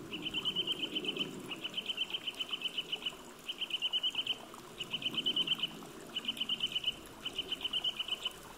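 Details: Eurasian nuthatch song announcing spring: six fast trills of clear, identical whistled notes, each burst about a second long with short pauses between, repeated steadily above a soft background of flowing water.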